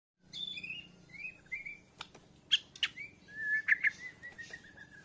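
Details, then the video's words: Bornean white-rumped shama learning to sing actively, answering a lure recording with breast feathers puffed out; thin whistled slurs, sharp clicks and a run of short rising whistles over faint low hum. "Murai Borneo Belajar Gacoorrr, Nyaut pancingan..jousss"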